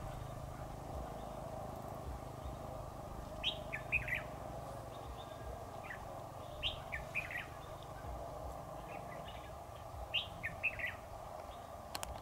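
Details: A red-whiskered bulbul is being trapped, recorded 7 October 2019. Brief lively phrases of several quick chirps come in bursts about three seconds apart, with quieter gaps and a steady low background drone.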